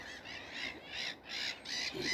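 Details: The year's first Common Sandpiper, heard before seen on a misty morning at dawn, gives a shrill, high piping series of about six quick notes, each under half a second, with a faint low voice near the end.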